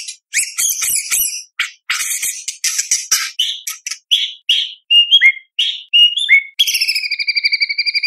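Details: Actively singing murai batu (white-rumped shama) with imitation-packed contest song and sharp shots, for training young spotted birds; scratchy chattering bursts, then round downslurred whistles, ending in a rapid pulsed buzz.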